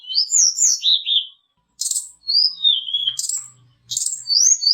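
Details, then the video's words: High whistled song of a mountain tledekan, used to lure and provoke fighter birds: sweet slurred notes, scratchy high bursts and long falling whistles in short phrases with gaps between. "PANCINGAN SUARA BURUNG TLEDEKAN/SULINGAN GUNUNG FIGHTER GACOR"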